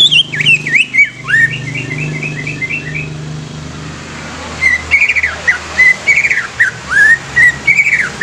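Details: Greater green leafbird, a young bird used as a lure for other leafbirds, delivers varied rapid whistles and chattering notes, pauses amid low engine-like hum, then continues with a steady series of looping whistled phrases.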